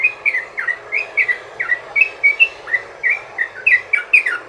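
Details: Sooty-headed bulbul long rolling song used to lure other bulbuls: clear, bright chirps, some sliding down and some sweeping up, in an uneven string of about twenty notes.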